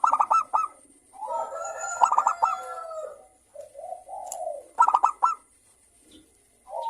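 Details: Local zebra dove with a crystal voice, singing to stimulate other doves: rapid, ringing note bursts open and recur midway, with long, layered purring coos and brief low trills between them.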